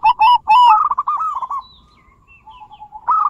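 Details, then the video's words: Zebra dove song played to stimulate non-singing doves: a fast run of pulsed cooing notes trailing into a long soft coo, then another burst starting at the end. "Pancingan Perkutut Gacorrr dorrr- Solusi Macet Bunyi Variasi suara besar, bekur, kristal"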